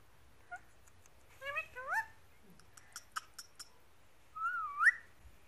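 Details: Indian ringneck parakeet eating grass on a lawn, giving short rising squeaky calls in brief bursts, separated by a few soft clicks and taps.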